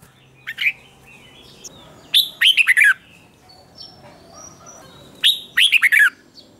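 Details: Red-whiskered bulbul singing competitively to spur rivals: a brief chirp, then two loud phrases three seconds apart, each a fast cluster of four or five sweet, dropping whistles, with faint twittering between.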